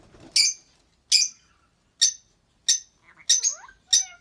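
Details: Pair of albino red-eyed lovebirds calling: short, sharp high chirps repeated roughly every two-thirds of a second, with one call carrying a falling whistled slide.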